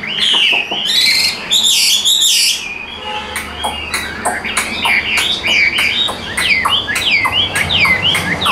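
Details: Caged hwamei with yellow legs and bill, singing loud varied phrases: rapid slurred whistles and rising-falling notes, some buzzy bursts, in a steady run with brief pauses.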